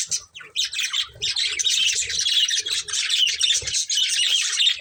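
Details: A family of budgerigars chirping: dense, scratchy high chatter overlapping almost without pause, with a brief quiet gap near the start and soft low knocks underneath.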